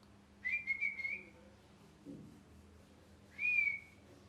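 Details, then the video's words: A molting pet parrot gives loud, angry calls: two high whistles, the first wavering and broken for nearly a second, the second shorter and steadier, with a faint low thump between. "Loud Parrot Chirping (Angry Voice)"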